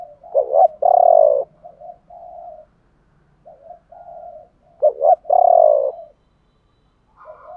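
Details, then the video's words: Male and female spotted dove coos meant to trigger cooing in trained birds, 'thổ bầu' voice; two repeats of a phrase: soft low notes, a quick double-note hiccup, then a loud sustained coo trailing into quieter notes. "tiếng thúc và gáy gọi bổ ba/ tiếng chim cu gáy kích bổi nhanh nổi gù"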